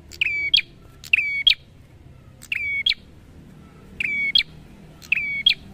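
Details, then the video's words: Prinia in lively song, recorded for training other birds: five repeated phrases, each a click followed by a flat sustained whistle ending in a sharp high chip, spaced roughly a second apart, with quiet low rumble beneath. "Terapi Suara Prenjak Gacor"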